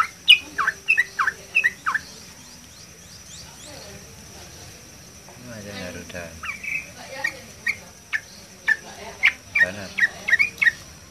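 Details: A yellow-vented bulbul above water sings bubbly, liquid chirps in quick bursts, two bouts split by a pause with low murmuring sounds and a thin, steady high whine.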